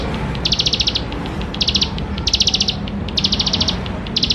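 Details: Bar-winged prinia, singing to encourage young birds to call, delivers four or five rattling high trill bursts about half a second long, separated by brief gaps, against a faint steady hum.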